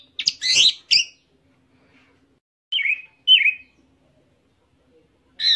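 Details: Orange-headed thrush singing: a loud burst of scratchy, jumbled high notes, a pause, then two short descending slurred whistles, and another scratchy phrase starting at the end; quiet background.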